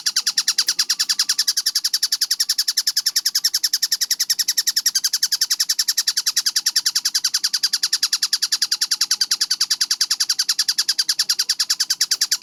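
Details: Tengkek buto kingfisher, clear-voiced and fast-tempo training recording: continuous machine-gun chatter of bright, sharp notes repeated evenly about eight times a second without pause, with faint low noise beneath.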